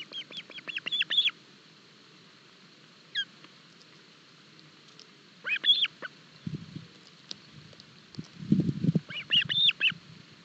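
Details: Osprey nest in Barlinek Forest at breakfast, 07 July 2022, chicks with an oversized fish, live camera; three bursts of quick, high, piping chirps separated by quiet gaps, with low thumping and rustling between.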